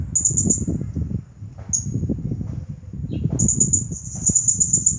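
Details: High, sharp chirp bursts of a champion blue-crowned hanging parrot in 'nagih hutang' style, ending in a long fast rattling series, over a noisy rumbling background.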